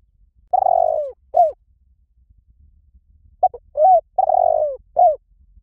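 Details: Spotted dove used as a decoy for trapping, giving two cooing phrases. Each has a long throaty, trilled coo falling in pitch, ending with a short upslurred note. A pause of about two seconds separates them.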